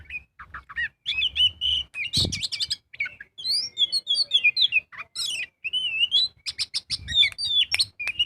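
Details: Energetic magpie-robin song used as a lure: sharp chips, rapid clicks, and looping whistled phrases in quick succession, with a brief thump partway through.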